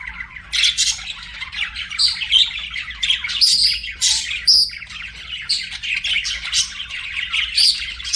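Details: Budgies singing and chirping as pets, a steady stream of buzzy warbles mixed with sharp high chirps and short whistled notes, varying in loudness throughout.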